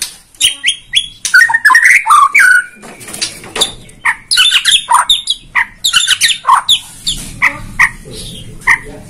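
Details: White-rumped shama from Borneo singing as a lure: short clipped whistles and chattering notes in quick, uneven bursts, some rising, with a faint low rumble behind.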